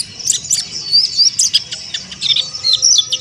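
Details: Pleci monty, an Oriental white-eye, gives rough 'ngeriwik kasar' twittering: quick bursts of high-pitched chirps and squeaky slurred notes, roughly three or four bursts per second, over a faint low hum.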